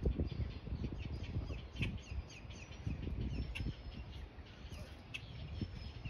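Purple Gallinule giving harsh, clucking, crow-like notes in short irregular bursts over a heavy low wind rumble.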